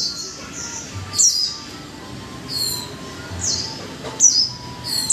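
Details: Caged Japanese white-eye, one month in captivity, singing a chattering twitter song: sharp, very high downslurred whistles in bursts about every second, with short pauses between phrases and faint steady background tones.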